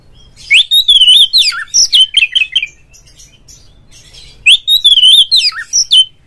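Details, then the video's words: Lure song of a kept Oriental magpie-robin to stir a rival to sing and open its tail; two matching phrases four seconds apart, each a wavering whistle followed by rapid clipped chips. "suara pancingan burung Kacer agar CEPAT GACOR FULL buka ekor dongkrak EMOSI"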